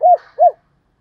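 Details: Two short arched coos from a spotted dove, low and soft, about a third of a second apart, then silence. Vietnamese style names given are gáy thúc, gáy gọi and gáy đôi, also called hai hậu.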